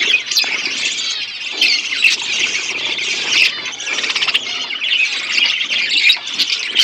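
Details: Budgies at the breeding stage with chicks being fed: continuous harsh, buzzy squawking chatter, slightly pulsing, with a few sharp clicks.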